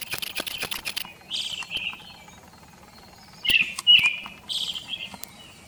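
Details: Brown-headed thrush call taken from a field guide recording and used in place of an unrecorded bird: short clear whistled phrases with trilled endings, spaced by pauses, preceded by a run of dry clicks.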